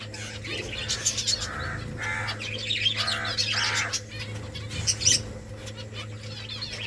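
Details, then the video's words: Nest-building finches in a colony call in a lively mix of high tweets and lower nasal chirps, several overlapping birds, with a bright burst near five seconds and a steady background hum. "Finches making nest Finches chirping sounds beautiful finches colony"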